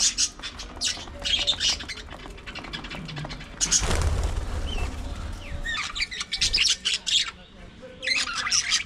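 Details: Pet budgies in a busy group squawk and chirp in scratchy bursts, broken midway by a louder rustling, broadband sound before the high chatter resumes.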